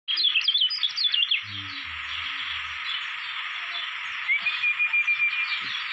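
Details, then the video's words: Caged kecial kuning (Lombok white-eye) from Lombok, Indonesia, a hopeful competition bird: rapid high twittering chirps in the first second and a half, then a thin sustained whistle near the end, over steady hiss and faint low background sounds. "CALON JUARA GANTANGAN KECIAL KUNING LOMBOK"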